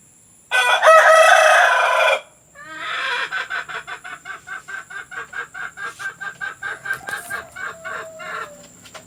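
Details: Hen sounds meant to coax hens into laying: a loud drawn-out crow, then a long rapid series of sharp cackling notes, about three per second, slowly fading.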